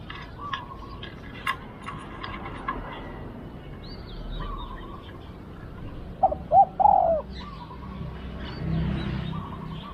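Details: Spotted dove used as a decoy for a wild dove in Thailand. Three short hollow coos, each bending slightly downward, come close together midway through, surrounded by faint chirps and low background rumble.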